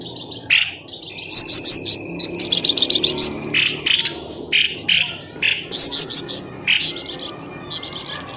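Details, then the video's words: Busy bird lure call for pulling birds from thickets. Rapid rattling trills of stacked high notes alternate with lower harsh chirps, and a thin steady whine runs through the first half. "SUARA PIKAT BURUNG pelamboyan ribut"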